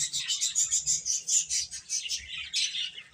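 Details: Chicks chirping: a steady chorus of high, thin peeps that overlap into a continuous shimmering twitter, pulsing several times a second, fairly soft, with a faint low rumble underneath.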